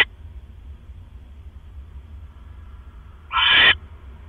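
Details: Owl at 7:24 PM on October 18, 2015, as one bird hands a rat to its mate: mostly quiet hum, then a single loud, hoarse screech near the end, lasting under half a second.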